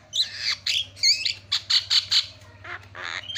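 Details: Javan myna lure recording meant to set other mynas calling: a rapid series of harsh, raspy squawks, each short burst following the last with little pause.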